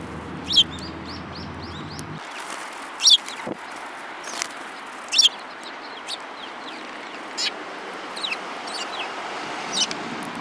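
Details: Several Eurasian tree sparrows, one with a yellow beak, recorded on 7 March 2018: short, sharp chirps scattered irregularly, some doubled. A low steady hum fills the first two seconds, then stops.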